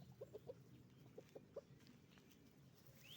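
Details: Hens and roosters at a chicken farm giving soft, low clucks: three quick ones, a pause, then three more. A thin rising chirp comes at the end over a steady low hum.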